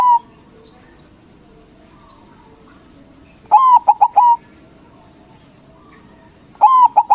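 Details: White zebra dove singing loudly to provoke rival birds to respond; two full cooing phrases about three seconds apart, each with a long coo, three quick notes and a drawn ending, plus a trailing note at the start.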